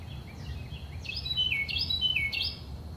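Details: Carolina wren singing in the early morning: loud, bright, down-slurred whistled phrases repeated about twice a second over a low background rumble, with fainter notes before.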